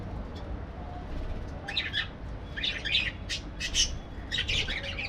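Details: Parakeets in an aviary, giving short harsh chirps and squawks in scattered bursts that grow busier after the first second and a half, several notes overlapping, over a steady low rumble.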